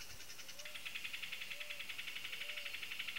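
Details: A pair of Amazon kingfishers, with one giving a fast, dry, ticking rattle of about ten notes per second, held steady for several seconds, and faint low whistles in the background.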